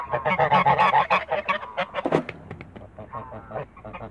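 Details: Toulouse geese in a backyard call with a loud run of rapid, nasal honks, then a sharp burst, and then sparser, quieter honks toward the end.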